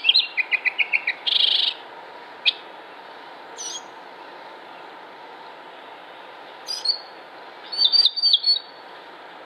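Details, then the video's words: Northern Mockingbird in Concord, North Carolina, 07-06-2016: a quick run of repeated chirps and a harsh buzzy note, then scattered isolated calls and a final short burst of high notes. "Northern Mockingbird Songs"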